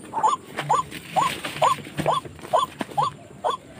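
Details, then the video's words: White-breasted waterhen call played to lure wild birds into traps around a housing area. Eight hooked, upward-curling notes repeat about every half second, steady and loud, with faint clicks and hiss behind. "Racik burung ruak ruak galak"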